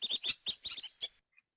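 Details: A flock of dowitchers peeping in flight gives a quick run of about seven high, clipped peeps in just over a second, sharp and slightly rattly, with nothing else heard.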